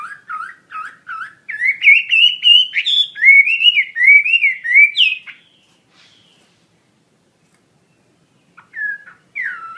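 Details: Chinese hwamei in lively song, for use in training other birds: short low whistles first, then a loud series of rising and falling whistled notes building higher, followed by silence and two brief phrases at the end.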